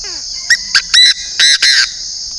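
A Chinese francolin gives a quick series of five loud, harsh, grating notes, the last ones longer. A steady high insect drone runs underneath.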